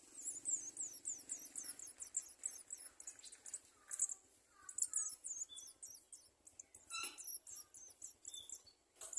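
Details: Begging garden sunbird nestling calling excitedly when the mother arrives with food, giving fast runs of sharp, high-pitched ticking chirps that stop and restart over nine seconds, with occasional lower short notes between bursts.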